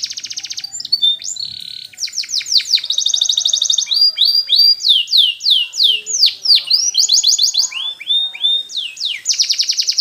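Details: Canary training song, ten seconds of continuous varied phrases: dense high buzzy rolls, steady whistled tones, bursts of sharp downward-swept chirps, and rapid even trills alternating without pause.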